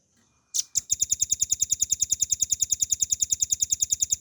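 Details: Velvet-fronted nuthatch, kept as a cage bird, in a training recording: after a single sharp note, a long unbroken trill of high, clipped piping notes, fast and regular, in a clean quiet background.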